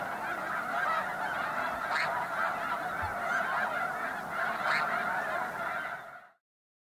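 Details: Many snow geese resting in the evening at Bosque del Apache National Wildlife Refuge, New Mexico, honk together in a thick, unbroken chorus of nasal calls that carries on steadily before fading out near the end.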